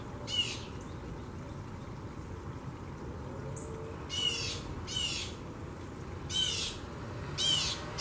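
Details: Broad-winged hawk eating a dove in a garden's tree canopy on June 9, 2021 gives five short, harsh, high-pitched squealing calls at irregular intervals over a steady low background hum.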